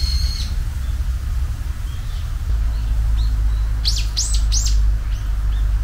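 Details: Japanese bush warbler, the season's first song of spring, heard as a short held high whistle, then after a pause a quick run of bright rising, arching notes, with steady low rumbling background noise.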